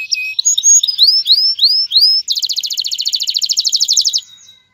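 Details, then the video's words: Male canary singing to get a female ready to mate and build a nest: a series of upward-slurred whistles, then a fast even trill of repeated notes lasting about two seconds that fades away. "اقوى تغريد ذكر الكناري لتجهيز انثى الكناري للتزاوج و تحفّزها على بناء العش CANTO CANÁRIO"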